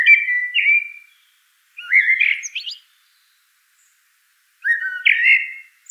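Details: Three unhurried phrases from a common blackbird, each a low, rich, whistled warble with a thin high note or two at the end, separated by quiet pauses.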